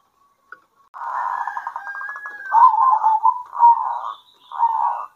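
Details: Local zebra doves answering each other at midday: a long buzzy, stuttering trill flows into richer rolling coo phrases, ending with a short separate burst.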